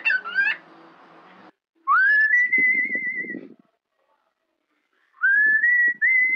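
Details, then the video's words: Cockatiel imitating the whistle of Wind of Change by Scorpions. A short harsh tonal squawk opens, then a rising whistle into a held note, silence, and two shorter rising whistled phrases. Light rustling beneath the whistles. "Cockatiel singing the whistle of the song Wind of Change by Scorpions"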